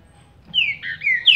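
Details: Close fragment of Paraná liso song from a caged green-winged saltator recovering from moult: three quick, bright whistled notes sliding downward, the final one sharpest.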